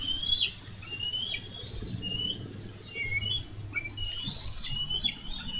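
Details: Minnesota nest-cam bald eagles on 4 July 2013 tussling over a fish. Softer, more distant high twittering whistles, some rising and some falling, scatter over a low background hum.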